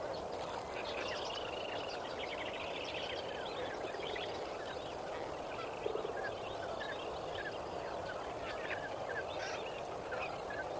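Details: Lesser flamingos calling at sunrise at Kamfers Dam on 18 May 2024; dense, overlapping nasal honks and gabbling chatter from many birds over a steady broad hiss of wind or water.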